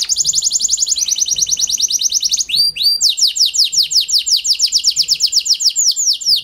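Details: Kenari panda canary singing as a lure for reluctant canaries: fast run of descending high sweeps, a pair of upward whistles, then a steady series of downward-slurred notes repeated several times a second.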